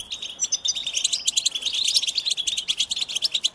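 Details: Rapid, high twittering of American goldfinches, a tight run of short chirps and trilled notes repeated several times a second, forming an unbroken bubbling chatter.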